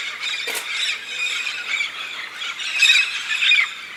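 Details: Red-spectacled parrots in large flocks on their yearly migration to the Santa Catarina highlands of southern Brazil to eat araucaria pine nuts; a noisy uproar of overlapping harsh squeals and screeches, with louder shrill bursts near the end.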